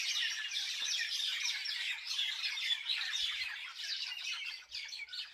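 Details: Village birds in a busy chorus of rapid, high chirps and squeaky twitters, many voices overlapping steadily with no clear gap.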